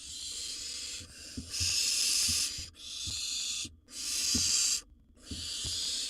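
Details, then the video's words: Harsh, breathy hisses in roughly one-second bursts with short gaps between them, from a wild barn owl nestling in a nest box eating a bird that its sibling tried to steal; faint shuffling and taps. "Barn owl nestling gobbles down a bird after its sibling tried to steal it."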